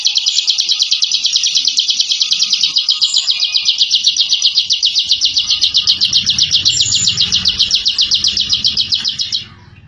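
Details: Caged contest Bar-winged prinia singing its rapid 'ngebren' song, used to intimidate rivals: a long, high, tightly packed buzzing trill that stops abruptly near the end, leaving a faint low rumble.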